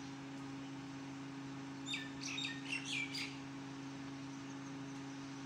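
A young Alexandrine parakeet gives a short burst of harsh, squeaky chirps lasting about a second and a half, over a steady low electrical hum indoors.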